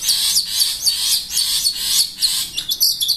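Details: Long-tailed shrike, called a mental fighter that sings gacor dor, giving a dense run of high, sharp chirps and squeaky notes that repeat rapidly without pause.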